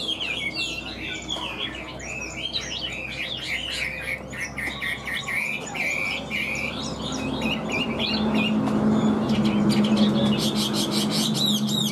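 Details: Large caged Chinese hwamei singing high: rapid looping whistled phrases fill the first half, then fade as a louder rumbling background and rattling noise take over toward the end.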